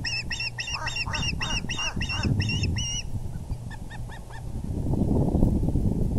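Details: At the VGCC nest on April 6, 2020, with the male arriving with a big fish, a fast run of ten loud, ringing osprey whistles fades into a few faint chirps, then only wind rumble.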